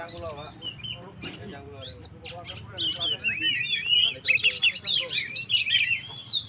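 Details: Oriental magpie-robin singing to rouse and provoke stressed birds; starts with softer scratchy notes, then builds into loud, rapid, varied whistled phrases with sweeping slurs.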